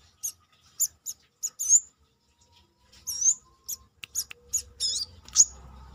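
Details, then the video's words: Brown-throated sunbird outside the cage giving rapid, high, scratchy chirps and twisting upslurred notes in irregular clusters, with quiet low background noise. "KORLAP (Kolibri kelapa)Manggar gacor luar sangkar"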